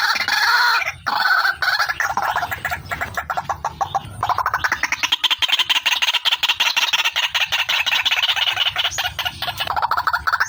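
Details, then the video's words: White-breasted waterhen, female, for luring: a couple of harsh croaks, then a long, even train of rapid clucking pulses that rises slightly in pitch. "SUARA PIKAT BURUNG RUAK-RUAK"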